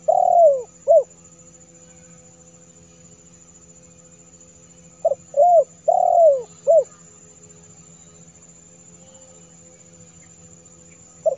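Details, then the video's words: Spotted dove cooing meant to lure wild doves: soft tonal phrases of short clipped notes and one longer descending coo, heard three times with quiet gaps between them. "Suara Terkukur//Untuk Memancing Burung Terkukur"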